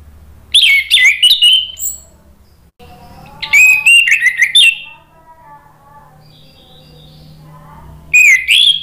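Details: Lure recording of orange-headed thrush singing, meant to get other birds answering: three energetic phrases of mixed clear whistles, chattering notes and downslurred trills, with soft lower warbling and a faint hum between them.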